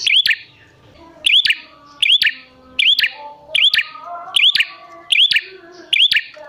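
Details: Prinia lure sound for coaxing prinias to call back: piercing clicked phrases with an upward-curling whistle, eight in quick, fairly even succession, with soft low tones in the background.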